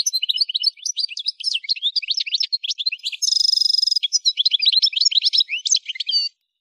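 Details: Algerian goldfinch (parva) singing at Kef El Hamam, Souk Ahras region, Algeria: rapid high twittering of short chirps and slurred notes, broken midway by a buzzy, harmonically rich trill lasting under a second, then fast twittering resumes.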